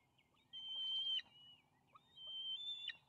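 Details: Bald eaglets call on a nest camera feed as the father lands with fish, May 28, 2020. Two long, steady, piercing whistles, each ending in a brief flurry of chips.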